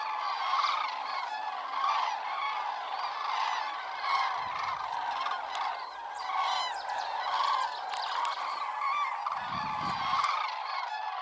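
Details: Large flock of Common Cranes leaving in spring while almond trees flower, with their typical clamour and trumpeting; a steady chorus of many overlapping rolling trumpet calls, with short low rumbling noises near the middle and end.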